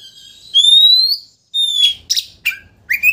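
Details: Oriental magpie-robin (kacer) song used as a lure to rouse a rival and make it open its tail: a long rising whistle with overtones, then sharp buzzy notes and short upward-sweeping chirps.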